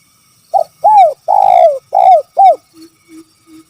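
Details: Spotted dove in the kuk 3 call style: a five-note phrase of a short note, an arched coo, a long drawn coo and two falling coos, followed by three soft, low coos.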